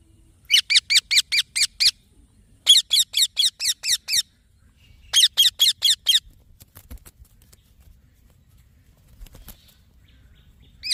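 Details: Green baby parrot making three runs of fast, harsh, squeaky chirps, six or seven each, separated by short pauses, then faint clicks and rustling before one final chirp.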